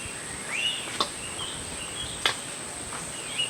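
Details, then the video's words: Myzomela calls from December 25, 2022: arching, high, thin whistled notes repeated in a loose series, with a few brief clicks and a continuous shrill insect tone behind. "myzomela behavior"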